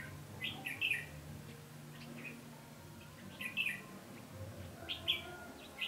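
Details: Trapping of wild red-whiskered bulbuls with a singing decoy on 20 November 2015; three groups of bright, chattering warbled phrases spaced roughly 1.5 seconds apart, faint hum underneath.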